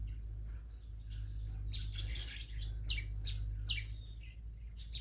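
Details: Small bird with a big voice, giving bright, sharp chirps with quick downward-sweeping notes, clustered irregularly after a quiet start, over a steady low rumble of background noise.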